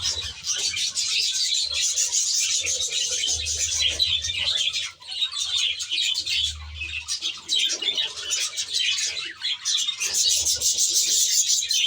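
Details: Budgerigars kept in an aviary, a dense flock chattering continuously with overlapping high warbles, chirps and squeaks, with brief low hum bursts underneath.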